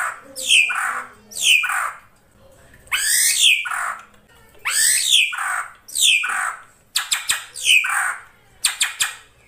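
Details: Ashy drongo repeating loud, scratchy downward-sliding squawks about once a second, later mixed with bursts of rapid dry clicks.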